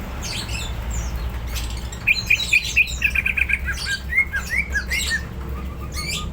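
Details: Greater green leafbird in full voice, said to be ready to fight, gives a lively series of clear, ringing whistled notes. Short upslurred and downslurred phrases repeat rapidly over a steady low hum.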